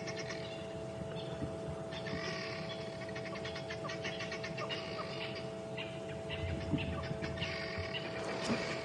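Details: At sunrise on 27 May 2015, near Twin Dam on a reserve's southern boundary, guineafowl give harsh, rattling alarm cackles at a lioness coming down the road, over a steady vehicle engine hum.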